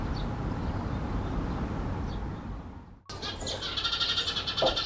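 Eurasian Tree Sparrows give a dense run of bright, harsh chirps in the second half, after a stretch of low rumbling background noise with only faint chirps.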